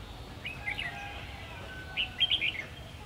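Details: Red-whiskered bulbul used as a decoy in trapping, Vietnam, 3 January 2019: a brief slurred phrase, then after a pause a louder run of bright whistled chirps, with a low background hum.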